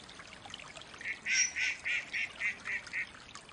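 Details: Rapid run of eight short, clipped quacks from a wild Mallard, about four per second, starting loud and tailing off softer, over light background hiss.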